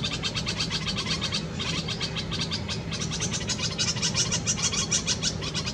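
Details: At a nest in a Karaunda bush in a Delhi garden, India, a red-vented bulbul feeds chicks in May 2020 summer heat; rapid, uneven runs of short, sharp high chirps, about three per second, over low background hum.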